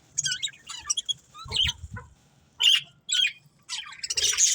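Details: Budgerigars at play chirp in busy bursts of scratchy, warbling notes, with harsher squawks breaking in.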